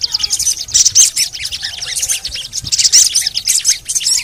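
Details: Crimson sunbird calls used as lure therapy to make reluctant birds sing: dense, high, squeaky chirps and short sharp notes tumbling over each other, about thirty bursts a minute, with faint low rumble beneath.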